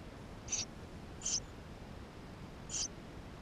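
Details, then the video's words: Eurasian tree sparrow nestlings inside the nest, filmed with a GoPro camera: three brief, very high thin squeaks spaced irregularly across a few seconds over a quiet background. "Воробей полевой 160416 2 в №2016 6 160528 GoPro1440p птенцы внутри 13"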